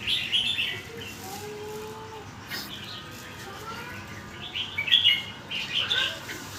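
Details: Red-whiskered bulbul stringing its song phrases together quickly: short bright warbled phrases open and close the passage, with a quiet gap in between and faint low background hum.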